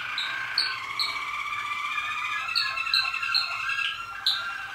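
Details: Malinois Waterslager canary recorded in 2014: rippling water-like rolls beneath repeated sharp high chirps that come several times a second.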